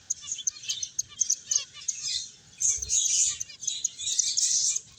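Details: Finches playing and eating, several birds chirping together: a steady, busy chatter of high, thin, overlapping tweets, almost unbroken apart from a short lull near two seconds, over a faint low rumble.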